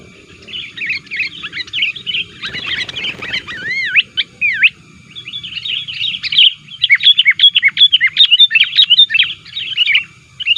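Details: Sooty-headed bulbul calling to lure wild birds, said to be very vocal and aggressive toward rivals: dense, continuous chattering of quick chirps, a brief rustling noise burst early, then clear looping whistled notes before the chatter resumes.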